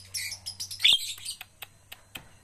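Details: Javan myna under training to sing, giving raspy, noisy chatter notes in a rapid run that ends in a sharp squeak, followed by scattered dry clicks and taps and a low background hum.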